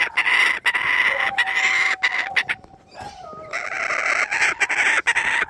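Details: A kookaburra named Lloyd, wanting breakfast, gives a loud, harsh, rapidly chattering cackle that runs almost without pause, briefly dropping away before starting up again.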